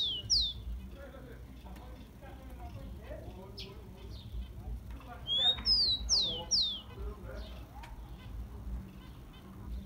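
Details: Rufous-collared sparrow song meant to stir up caged tico-ticos: a falling whistle at the start, scattered quiet chirps and murmurs, then a loud phrase of one rising and several steeply dropping whistled notes midway.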